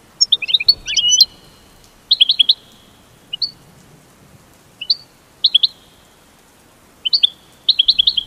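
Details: American goldfinch giving its mating call in short bursts: tight clusters of high twittering notes separated by pauses of one to two seconds, with a few isolated rising chirps between.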